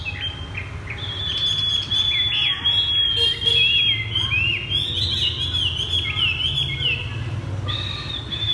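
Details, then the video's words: Caged Chinese hwamei set on the ground sings in the thắt cổ chai style: a held high whistle breaks into a long, loud run of rippling, looping whistled phrases, closing on a steady whistle, over a low rumble. "Chim hoạ mi đặt đất hót thắt cổ chai thắt cổ chai..."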